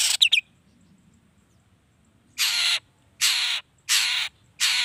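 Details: Long-tailed shrike lure sound meant to provoke other shrikes. A couple of quick chips open, then a series of four loud, harsh, rasping screeches, each about half a second long, spaced under a second apart.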